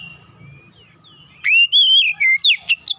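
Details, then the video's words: Oriental magpie-robin singing a lure song meant to draw hard birds into song: after a faint opening, a bright sustained whistle wavers then drops, followed by three quick sharp notes. "kicauan pemikat Kacer bahan susah bunyi langsung gacor"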